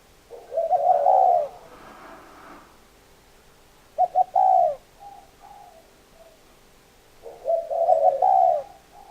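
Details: Spotted dove cooing phrases: a long blurred coo, a pause, then a stuttered double note into a hoot with softer trailing coos, and another phrase ending the recording.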